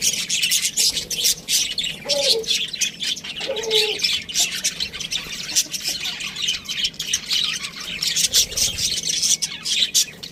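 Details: Budgerigars chattering steadily: a busy flock of high, scratchy chirps and warbles running without pause, with a few lower cooing notes, possibly from another bird, near the start.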